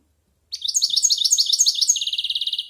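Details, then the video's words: Goldfinch past its first year, rehearsing a good, varied song in the silvestrismo tradition: rapid sweeping high chirps repeated several times a second, then a dense, evenly pulsed buzzy trill to close. "Cante de Jilguero"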